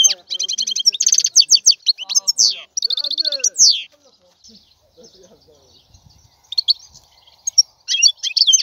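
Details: European goldfinch singing: bursts of bright, rapid twittering and liquid trills with buzzy notes, broken by a quiet gap of faint soft chatter before the twittering resumes near the end.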